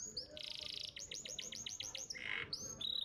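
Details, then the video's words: Canary master song from a contest champion: a buzzy trill, then a run of repeated upward-curving whistled notes, a short rasping burst and clear sustained whistles. "Pancingan Kenari Muda Cepat Bunyi & Ngeriwik – Masteran Kenari Juara Gantangan"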